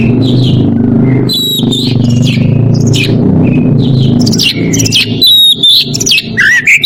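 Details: Oriental magpie-robin in breeding condition calling out to a rival, giving bright whistles mixed with scratchy chattering bursts, partly masked by a constant low rumbling hum.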